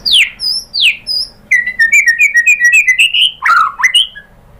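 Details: Lure song of a white-rumped shama meant to draw an answer from a caged bird: two high descending whistles, then a rapid run of short chirping notes and a lower rising whistle.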